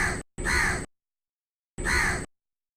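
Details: Crow calling from a tree: two harsh, raspy caws, each lasting about half a second, the second following roughly one and a half seconds after the first, with complete silence between them.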